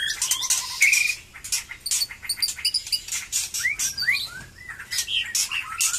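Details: White-rumped shama becoming active in song after moulting, with a bright sustained whistle, a low repeated trill, then a series of upward-swooping notes amid sharp clicking chatter.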